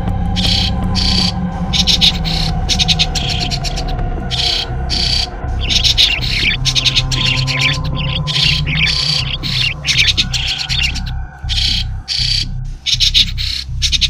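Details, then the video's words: Sáo đá, a starling also called sáo nhí or sáo ăn rong, used as a bird-trapping lure: rapid stuttering chirps in closely packed bursts, with brief pauses, layered over constant low rumble and sustained tones. "Tiếng Chim Sáo Đá , Sáo ăn rong - Sáo Nhé Tiếng Chuẩn Nhất"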